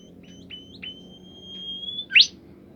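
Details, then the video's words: Bimoli bird song said to prompt other bimoli birds to sing: short whistled notes lead into a long, slightly rising pure whistle, ended by one sharp, loud upward-sweeping note. "burung bimoli lain nya akan ikutan gacor"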